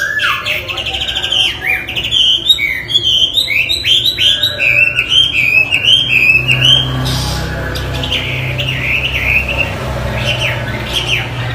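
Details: Chinese hwamei, kept as a songbird, singing loudly in a rich run of whistled phrases that slide up and down, with quick repeated notes and rapid trills, over a low steady background hum.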